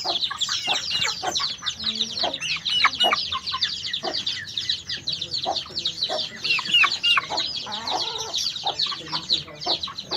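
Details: White-eye giving a fast, continuous stream of high twittered notes and quick chirps, several each second, with some lower clucking sounds beneath.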